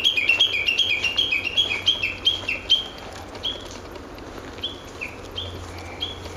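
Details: Woodland of an ecology park on 06/12, where a Japanese bush warbler delivers a fast, loud string of paired high-low whistles that slows and quietens into a few scattered notes, over a faint low hum.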